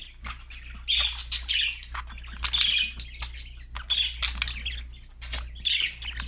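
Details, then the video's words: Budgerigar in cheerful song, a run of chirps and raspy warbled notes in uneven bursts throughout, with short gaps between phrases and a constant low background hum. "budgies chirping sound for lonely #birds TV. Happy #parakeet singing"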